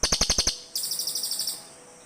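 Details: Cililin bird calls traded back and forth, used for luring forest birds: a quick run of six loud rattling ticks, then a thinner, higher series of about ten softer repeated notes.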